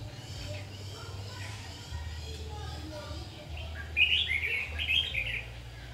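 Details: Red-whiskered bulbul during trapping on 7 August 2019: after a quiet start, a lively burst of jumbled chirping and warbled notes in the final two seconds, with a low hum throughout.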